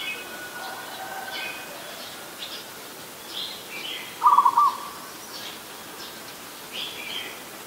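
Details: Adult zebra dove recorded in Ubon Ratchathani, Thailand, 24 December 2020: one short rolling coo phrase of quick staccato notes midway, surrounded by faint scattered chirps of other birds.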